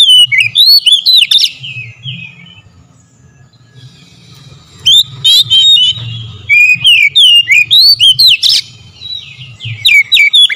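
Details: Lure song of kacer, the oriental magpie-robin, meant to trigger other birds: an opening flurry of rapid whistles, a quiet gap with low hum, then long loud runs of sharp, repeated slurred whistled notes.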